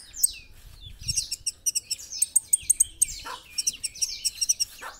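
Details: Kolibri ninja, or olive-backed sunbird, in gacor masteran song: steady, evenly spaced high, sharp chips roughly four per second, mixed with thin falling squeaks and short twittering runs.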